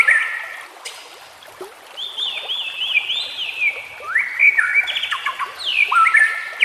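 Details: White-rumped shama song used to train caged birds: long flowing whistled phrases with rising and sliding notes, varied and melodious, with low background rustle.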